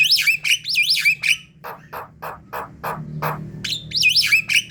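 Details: Javan myna lure calls: looping, warbled whistles at the start and end, with a middle run of coarse, evenly spaced rasping squawks.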